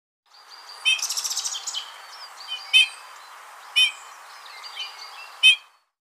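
A finch opens with a quick, high, buzzy trill, then gives sharp bright chirps about once a second over a soft steady hiss.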